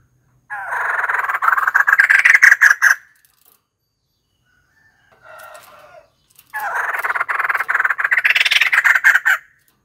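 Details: White-crested laughingthrush giving two loud, raucous cackling outbursts, each lasting around three seconds, with a quieter chattering phrase between them.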